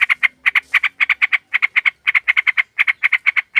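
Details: Sooty-headed bulbul, a female calling a male, used as a lure for flocks: dense runs of harsh, buzzy chattering bursts in pairs and triplets, almost unbroken for nearly four seconds.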